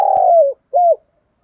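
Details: Spotted dove decoy bird calling in 'thúc gù' style: a drawn-out, gently falling mellow coo followed by one short rounded note, then silence.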